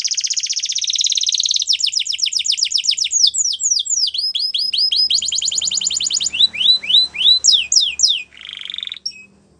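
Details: Singing Belgian canary with a varied, high-pitched song. A dense buzzy trill opens it, then fast runs of downward-sweeping whistles, a rapid rattling tour, and clear slurred notes. It ends with another short buzz. Faint background rumble.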